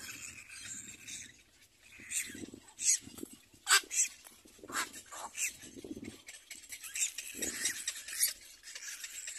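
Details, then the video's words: Little black cormorant chicks at the nest compete for their mother's food. They give high, shrill squealing calls in overlapping bursts, with some louder sharp cries and lower rasping notes between. "Little black cormorant Baby Birds compete for mother's food"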